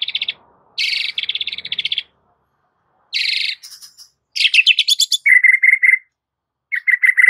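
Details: White-rumped shama giving an aggressive fighting song as a training master; dense buzzy rattling bursts, high sharp strokes, then rapid pulsed trills repeated in short bouts.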